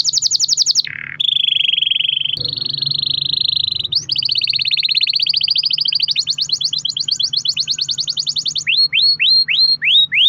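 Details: Canary with an extended rolling song, played to stir other canaries into singing: a chain of trills shifting in pitch and speed, ending in repeated sharp falling notes, over a constant low hum.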